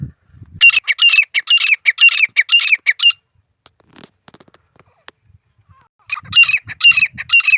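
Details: Harsh, grating grey francolin calls delivered in a quick, rhythmic series. Then a quiet pause. The bird picks up the same squawking phrase again near the end.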